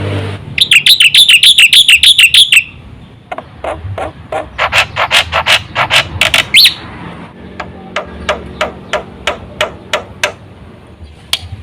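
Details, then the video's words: Black-winged myna song, used to lure other mynas into singing; an opening run of rapid bright chattering notes, then quieter, clicking, evenly spaced strokes that slowly fade. "suara burung jalak putih full isi sekali pancing semua jalak kaget gacor"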